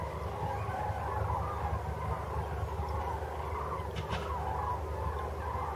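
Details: A flock of migrating Common Cranes flying in formation past Maastricht at nightfall on 4 March 2013 gives overlapping rolling, trumpeting flight calls, wavering steadily over a heavy low rumble of wind or distant traffic.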